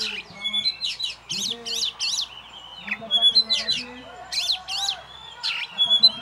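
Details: Caged champion oriental magpie-robin singing alone. It repeats groups of harsh buzzy rattles and thin whistles while low human voices murmur faintly beneath.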